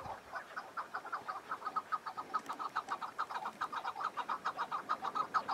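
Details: Chukar partridge calling among spring mountains still patched with snow: an even, rhythmic chuk-chuk series, a little over two notes per second, clucking and mid-pitched over a quiet background.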